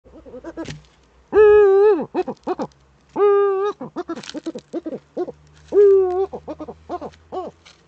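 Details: Female Eurasian eagle-owl scratching in its nest niche, filmed by a nest camera in northern Rhineland-Palatinate, Germany, on 5 May 2013. Three loud, drawn-out tonal calls with rich harmonics, each under a second, are separated by rapid short clucking notes.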